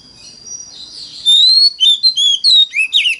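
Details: Oriental magpie-robin giving a mountain-forest style lure song meant to prompt other magpie-robins to sing: after a faint opening note, loud clear whistled phrases, rising and falling, in quick bursts with a few harsher slurred notes at the end.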